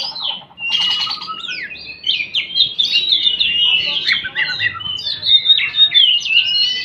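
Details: Kacer, the Oriental magpie-robin, pouring out a fast, jumbled song of high sweet whistles, sharp chirps and short scratchy notes, phrases tumbling into one another with scarcely a break.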